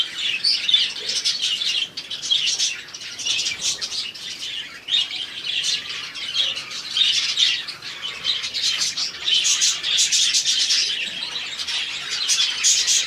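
A colony of budgerigars keeps up a dense, continuous warbling chatter of high chirps and squeaks.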